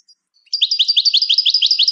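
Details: European goldfinch song meant to teach other birds: after half a second of near silence, a steady fast trill of high, slurred double notes runs on evenly for a second and a half.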